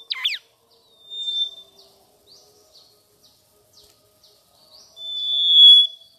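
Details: Mangrove whistler, a South-east Asian bird, chirping sweetly: a sharp looping note, faint scattered high chips, then a long pure whistle held steady near the end.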